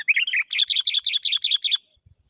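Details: A sooty-headed bulbul calling a rival opens with jumbled bubbly whistles, then gives a rapid run of about seven repeated, slightly buzzy notes before falling silent.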